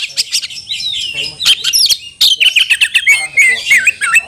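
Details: Caged Oriental magpie-robin calling out for a fighting rival, roused and emotional: dense, rapid run of sharp chirps, sliding whistles and scratchy notes with hardly a pause.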